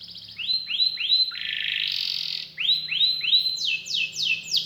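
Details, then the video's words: Canary singing rising whistled notes in a series, a brief rough buzzy burst, more upslurred whistles, then a run of quick falling notes; faint low hum underneath. "KENARI GACOR CENGKOK ISTIMEWA,ISIAN MEWAH"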